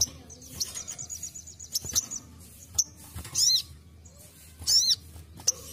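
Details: Ruby-cheeked sunbird basic song, used as a training recording for songbirds: thin, very high buzzy trills alternating with sharp descending chevron chirps, in irregular bursts about every second or two against a quiet low hum.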